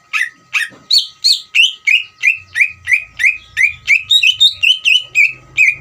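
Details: Ngeriwik song of a greater green leafbird, meant to goad other birds into singing: continuous string of bright, downward-sweeping chirps about three per second, the later notes doubled and faster; soft low thumping and a steady faint hum behind.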